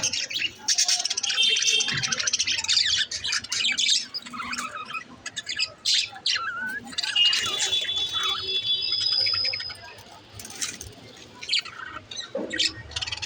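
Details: Pet budgerigars chirping: a dense, continuous chatter of high warbling chirps, squeaks and buzzy notes, with a few longer whistled tones, almost without pause.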